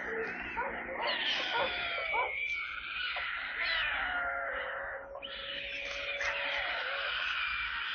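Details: Stork chicks in a nest in Kaluga Oblast, Russia, on 28 July 2022 during a water delivery, keeping up a steady stream of overlapping wheezy, mewing cries, rough and mid-to-high pitched, with a few thin drawn-out whistled notes.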